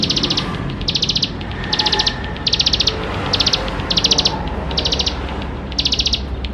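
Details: Bar-winged prinia, or ciblek sawah, singing gacor style to coax young birds to sing quickly: evenly spaced short bursts of fast, high, dry ticking, repeated roughly every second.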